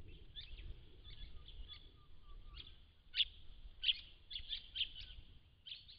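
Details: Large numbers of white-browed woodswallows gathered at a pond in December 2016, giving high, clipped chirps in loose bursts, several overlapping notes close together toward the end, with a low rumble beneath.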